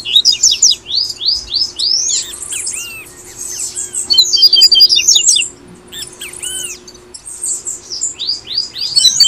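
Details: High, fast double-collared seedeater song of the tui tui type from Brazil, used to stimulate caged birds: dense bursts of sweeping whistled notes and arched slurs, broken by short gaps, over a constant low hum.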